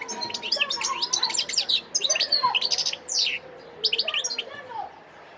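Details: Wild European goldfinch from Sidi Bel Abbes, Algeria, recorded 17 December 2021, giving a dense, fast twittering song of liquid chirps and buzzy trills with short gaps.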